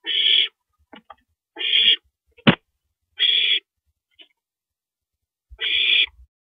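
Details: Owl at night, 1:27 AM on April 9, 2012, while an owl swallows a rabbit; harsh, hissing screech bursts about half a second long, repeated irregularly, with faint low knocks between.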